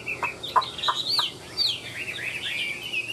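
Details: Caged Chinese hwamei with a spread tail and a wing display, in loud song. A few sharp clicks open the clip, then rich, rapid warbling with rising and falling whistled slurs and bright sweeping notes.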